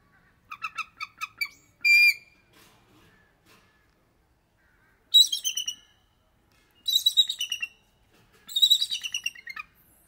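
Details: Bald eagles calling: quick series of thin, high staccato piping notes, then a long steady whistled note, followed by three separate bursts of rapid, high chittering notes with quiet gaps between them.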